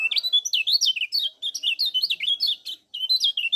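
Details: Lemon-bellied white-eye from Lombok, chattering continuously in the ngejos style, used as a lure to make other birds sing: fast run of high, sweet chirps and slurred whistles, each swooping up and down, with a brief pause near the end.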